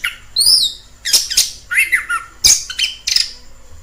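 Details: Orange-headed thrush in the wild: a few scattered phrases of high whistled slurs and harsh, squeaky notes with short gaps between them.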